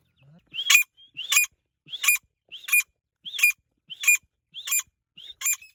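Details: Iranian partridge (teetar) calling: a clear series of sharp, bright notes with a rising hooked start, repeated about every 0.6 seconds, eight times, over a quiet background with faint low clicks.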